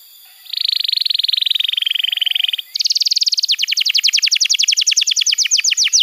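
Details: Tutor song to get juvenile canaries singing: a smooth buzzy trill lasting two seconds, a brief gap, then a higher, faster rattle that breaks into rhythmic downward slurs.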